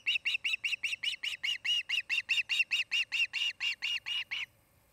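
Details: Osprey couple nesting near Charlo, Montana: a rapid, even string of about twenty piercing whistled chirps, roughly four per second, each with a rising then falling arch, ending abruptly into quiet.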